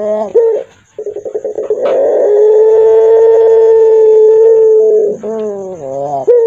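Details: Barbary dove of the pelung type with a hoarse, deep, fearsome voice: a short stuttering run of rough pulses swells into one very long, steady, low droning coo lasting about three seconds, then brief wavering notes.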